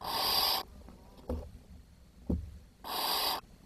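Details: Barn owl chicks at the nest on 10 June 2023, when food was too scarce to feed every chick and the youngest died. Two long, harsh, broadband hissing snores frame a pair of dull knocks.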